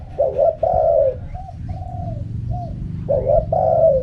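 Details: Spotted dove cooing in the wild-style 'karam pa' song: a short coo and a longer rolling coo, then soft trailing notes, then the two-part phrase again, with low background hum.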